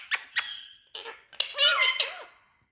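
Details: Talking green parrot in India, indoors: two sharp squeaks, then a drawn-out nasal tone and a run of warbling, voice-like syllables with wavering pitch, clearly close to the microphone in a small room.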